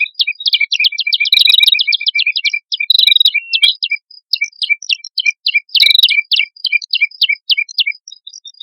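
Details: Male and female red-headed prinias singing as a lure: fast, evenly spaced high ticks form long rattling series, broken by brief louder chirpy flourishes.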